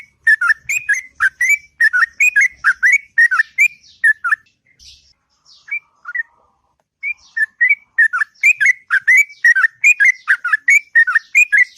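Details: Sooty-headed bulbul delivering its long, sweet ngropel song in the morning: rapid fluty warbles, several per second, broken by a quieter pause with scattered soft notes, then resuming at full pace.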